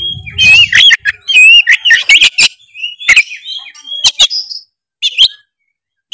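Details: Oriental magpie-robin in full, energetic song, used to provoke a lazy bird into singing and seeking a rival: loud, varied whistled phrases, sliding and warbled notes mixed with sharp clicks and rapid chatter, with a short low rumble at the start.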